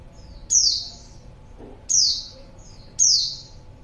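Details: Female white-eye luring a male, three strong high-pitched notes each gliding down in pitch, spaced over a second apart, with faint high chirps and a soft low thump between.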